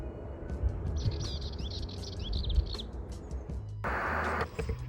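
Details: Dartford warbler beside a path on Surrey heathland in June, before flying off, gives a brief, scratchy, rattling warble of about two seconds over a low rumbling background, with a burst of hiss at the end.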